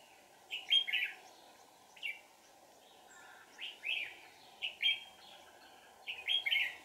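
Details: Red-whiskered bulbul used as a decoy to lure wild birds in deep forest, recorded 1 April 2019, singing short warbled, bubbling phrases every second or two over constant droning background noise.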